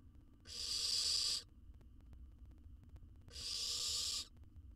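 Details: Young wild owl nestling in a camera-monitored nest box in Israel, eating a jird whole. A pair of harsh, airy hisses about one second long, separated by roughly two seconds of quiet.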